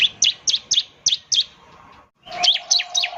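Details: Bar-winged prinia repeating bright, high downslurred chips about four per second, with a short gap and then more chips over a low steady hum.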